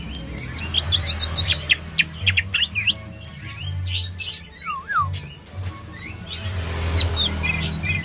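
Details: Greater green leafbird (cucak ijo) kept caged at a local bird kiosk, noted for a strong voice; rapid run of sharp chirps, looping whistled slurs and high twitters, loud and varied, over low rumbling background noise.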